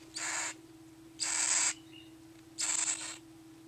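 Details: Cockatiel chicks being hand-fed by syringe, on their second day, give harsh, wheezy begging rasps in bursts about a second apart.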